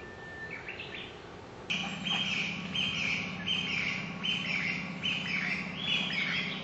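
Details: Japanese bush warbler singing unseen from within about five metres, in Genjiyama Park, Kamakura, 1 May 2015. A held whistle gives way to rising notes. Rapid, bright repeated phrases follow about every 0.7 seconds over a low steady hum.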